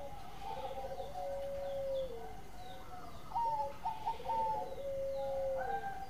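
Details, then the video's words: Zebra dove (perkutut) song used as a lure for trapping: soft, rolling cooing phrases of stuttered notes running into a long level tone, repeated twice, with faint chirps of other birds in the background. "Suara Mas Perkutut Gacor"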